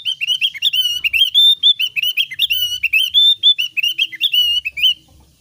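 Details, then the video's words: Javan grey-throated white-eye, thin-browed type, delivering a loud, lively, continuous chatter of rapid high whistled and twittering notes, rising and falling, for about five seconds with barely a pause. "ciri khas suara burung opior alis tipis"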